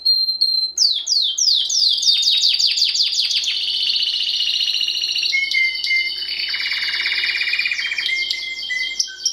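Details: Timbrado canary in song: a single whistle, then a quick series of sharply falling sweeps about five per second, followed by buzzy trills and steady whistled notes.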